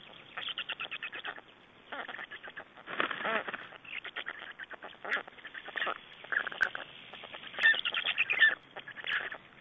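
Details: Black storks at a nest in Estonia on 3 June 2011, during a nest exchange and feeding: bursts of rapid, raspy pulsed notes run in trains of about a second, with short pauses, and louder spells near the middle and end.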